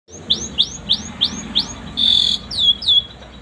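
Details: Asian pied starling singing with canary song imitations, meant as a tutor for training other birds: a run of five rising-falling whistled notes, a brief buzzy trill, then two more downslurred whistles.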